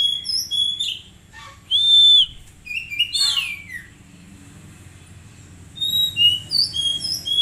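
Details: Oriental magpie-robin, an untrained kept bird, in a recording meant to coax it into singing: clear whistled phrases, some rising and falling, a loud sustained whistle near the middle, bursts of short high notes, quiet gaps between.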